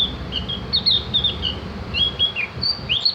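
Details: Opior jawa, the Javan grey-throated white-eye, in a training recording for singing birds: lively string of thin, high, slurred chirps and upward-sweeping whistles, tightly packed with brief pauses between phrases.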